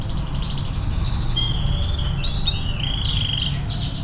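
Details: Tutor song from an actively singing canary: fast chattering rattles blending into sweeping whistled notes and down-slurred phrases, continuous and bright, with a low rumbling background.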